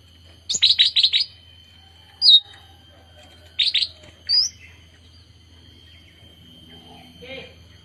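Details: Young bulbul, a fledgling just learning to sing: a quick burst of five sharp chirps, then single high notes spaced about a second apart, with a steady faint high whine in the background.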